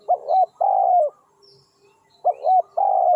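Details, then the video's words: Spotted dove calling as a lure for wild doves: a quick pair of rising coos runs into a long, rough, even coo, and the same phrase starts again about two seconds later. "suara tekukur enak"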